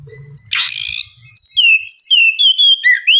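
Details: White-rumped shama singing, meant to stimulate a lazy bird to reply: a brief harsh rasping burst followed by a string of clear, pure whistled notes, some descending, repeated about twice a second.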